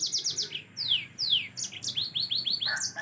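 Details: Masteran recording of a yellow-fronted canary singing gacor: a quick run of high notes, two long sweeping downslurred whistles, then a series of arched chirps repeated at a brisk pace, ending in a scratchy flourish.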